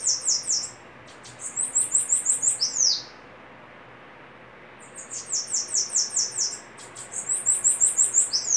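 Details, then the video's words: Bananaquit in a singing duel, giving several phrases of quick, high-pitched, sizzling notes, each ending in a downward slur, separated by short quiet gaps. "Duelo de sibite cantando"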